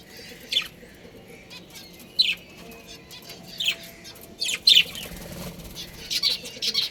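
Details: Budgerigar breeding pair giving scattered short, sharp high chirps, single or paired notes spaced a second or so apart, over a soft steady background hiss.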